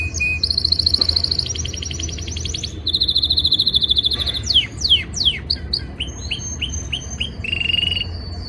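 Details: Canary singing during breeding season to impress a female: loud rapid buzzy trills in long rolls, a high rattling tour, then quick downslurred and upswept whistles and a short trill to finish, with low background rumble.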